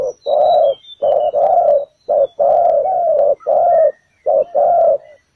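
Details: Spotted dove decoy at a ground trap, calling loudly in repeated low coo phrases, short note then prolonged coo, several pairs back to back with light high bird chirps behind.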